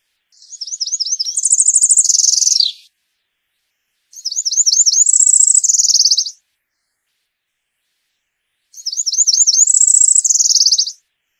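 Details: Cerulean warbler (Setophaga cerulea) singing three high, buzzy songs, each a quick run of repeated notes climbing into a thin rising buzz, about four seconds apart.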